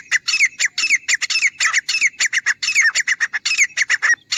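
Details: Grey francolin, recorded for use as a hunting sound: rapid, harsh, squawking notes in tight pairs and clusters, each with a bright rising-falling inflection, repeated almost without pause for over four seconds.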